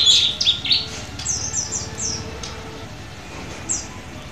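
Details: Auction kacer, an Oriental magpie-robin from Semarang recorded at midday, opens with a few bright slurred whistles, then fades to faint, scattered high notes over a low hum.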